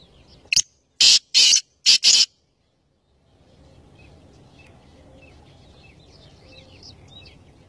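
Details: Kala teetar, the black francolin, calls once: a brief sharp note, then four loud, scratchy, buzzing bursts in quick succession. After a silence, soft twittering of small birds and low background hiss follow.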